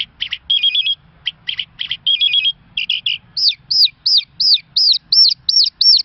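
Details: Irani Mashadi Jal lark song opening with clipped buzzy stuttering notes, then a steady series of about nine arched whistled notes repeated roughly three times a second, clear and high.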